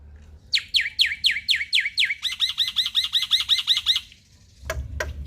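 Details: Male black-winged starling singing in full, varied form, used to coax quiet starlings into song: about eight loud downslurred whistles in quick succession, then a rapid run of looping, bubbling notes, ending in a few sharp clicks.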